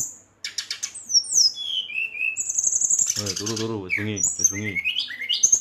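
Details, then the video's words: At night, an agitated Brown-chested jungle flycatcher sings to rile other birds of its kind: sharp descending whistles and bright trills, partly overlapped by a man speaking in the middle. "SRDC Gacor Ngeroll, Sikatan Rimba Dada Coklat ngamuk memancing emosi srdc lain"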